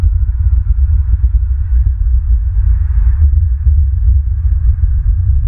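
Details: A loud, low, throbbing hum fills the recording, with faint irregular ticks and no animal voice.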